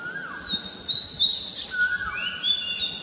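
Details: Morning song of an Oriental magpie-robin within a chorus: loud, high, sliding whistles in quick succession, with a lower, softer whistle from another bird underneath.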